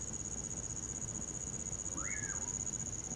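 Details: In winter, by a campfire, a common pauraque gives one arched whistle late in the passage, swinging upward and then trailing down. Crickets keep up a steady high whine throughout.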